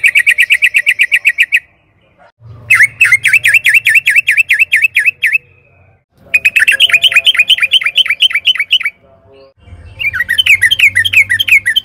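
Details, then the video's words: Sooty-headed bulbul song used as a lure to get caged birds singing: long fast series of wavering bubbly notes in bursts of two to three seconds, short gaps between, faint low hum underneath. "Pancingan trucukan gacor agar BUNYI jadikan BURUNG TRUCUKAN GACOR NYAUT EMOSI"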